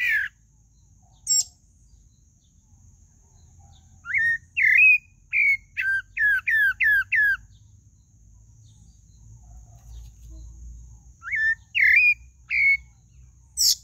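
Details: Song of the pale-breasted thrush, with scattered slurred whistles and a rapid run of five or six similar hooked notes, then quiet, then a few more whistled phrases over faint low background rumble.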